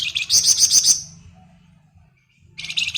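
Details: Flamboyan bird in its ngebren singing, used as a lure for other birds: a rapid, high, buzzy chattering trill lasting under a second, then silence, then a second dense burst beginning near the end.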